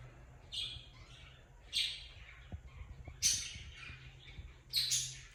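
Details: Cockatiel kept as a pet indoors, making short harsh scratchy chirps in bursts about every second or so, with low room hum under them.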